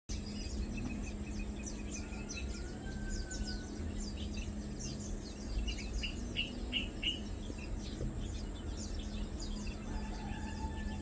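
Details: Lowland white-eye, recorded on 2 August 2022 while mainly feeding. Thin, high chirps come scattered and overlapping across the clip, with a few longer whistled notes. A steady low hum and rumble run underneath throughout.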